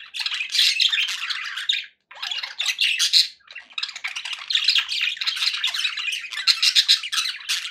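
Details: Steady harsh chattering of pet budgies: grating squawks and quick warbled chirps in long runs, stopping briefly near the second second, then resuming strongly.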